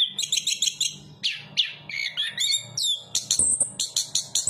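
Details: Chestnut-capped thrush opening with a fast, evenly repeated stuttering note, then shifting into swooping slurred whistles and high chirps, a low hum running underneath.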